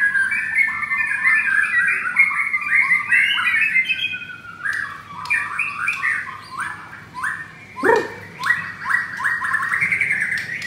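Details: Caged white-rumped shama, a pastel blorok bird, singing against a rival; long continuous series of short rising whistled notes in rapid repetition, with a few harsher squawky notes mixed in.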